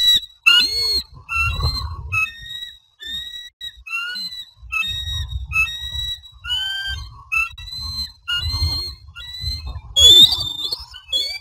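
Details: Bald eagles at Standley Lake, Colorado, on 24 April 2020 at 15:45, as the male brings a fish to the new female. Thin, high whistled notes come in quick chattering runs, some rising then dipping, over bursts of low rumbling wind.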